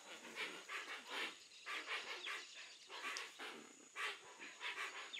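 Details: Hoatzin in the Amazon of Brazil: harsh, wheezy, hissing bursts repeated roughly twice a second in uneven runs, breathy and noisy rather than tonal, with a steady high insect whine behind.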